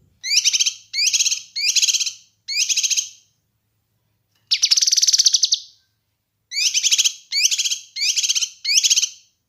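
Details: Kinoi bird singing, recorded as a master track to train and lure other birds: four short buzzy trilled bursts, a longer rattling phrase, then four more bursts, evenly spaced, high and clear on a silent background.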